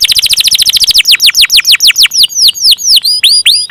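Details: Canary in full 'gacor ngeroll panjang' long rolling song: a fast rattle of downward-sweeping high notes for one second, then slower, deeper descending slurs about five per second.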